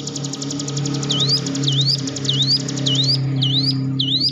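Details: Song of the Hill prinia, used to prompt caged birds to sing. Six looping whistles, each falling then rising, come roughly every half second above a rapid buzzy trill and a steady low droning hum.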